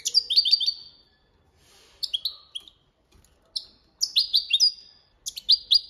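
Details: European goldfinch delivering copia Malaga song for training. Rapid liquid twitters and nasal buzzy notes come in three lively bursts separated by brief silences.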